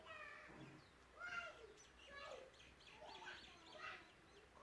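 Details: Several overlapping Aseel rooster crows, hoarse and harmonic, rising then falling, with a steady background hum.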